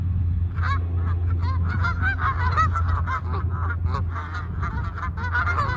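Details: Canada geese landing and flying off: a flock gives rapid, overlapping nasal honks, several per second, over a steady low rumble of wind or engine noise.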